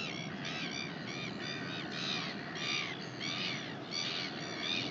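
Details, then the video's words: New Zealand Northern royal albatross, 19 January 2021: a run of about seven rhythmic, braying harmonic calls, each a curved rising-falling note, against background wind noise. "NZ Northern royal albatross"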